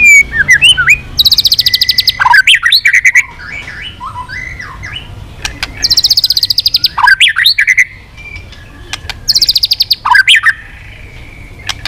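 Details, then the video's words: White-rumped shama singing, mixing in swiftlet-like phrases, switching voices and flicking its tail constantly; varied whistles and slurred notes alternating with bursts of fast buzzy trills, with faint background hum. "Chòe Lửa kéo dây yến đảo giọng đập đuôi liên tục"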